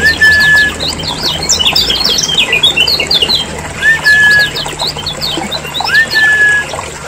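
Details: Loud lure chatter of Lombok lemon-bellied white-eyes, used to spur caged birds into song: clustered bursts of sharp high twitters, with a clear flat whistle repeated about every two seconds.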